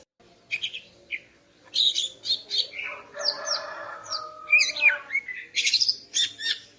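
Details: Female greater green leafbird in morning song to arouse the male, mixing high chirps, down-slurred whistles and a rolling, warbled middle section, ending in dense quick sharp notes.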